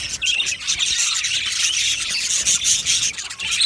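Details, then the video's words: Several budgies chirping together: fast, bright, slightly harsh twittering with squawky notes and short clear whistles, dense and continuous. "Budgie singing and chirping sounds"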